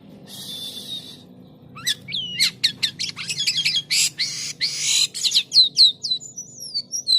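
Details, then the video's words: Jalak kapas starling singing actively with a strange, varied song: a buzzy hiss, then sharp whistled slurs and rapid rasping bursts, ending in repeated rising whistles, over a faint low hum. "SUARA ANEH BURUNG JALAK KAPAS GACOR"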